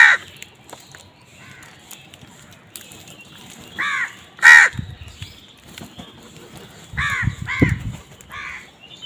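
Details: Harsh, nasal caws from crows squabbling over food come in scattered pairs and singles over about nine seconds, with low thumping scuffle noises between some calls.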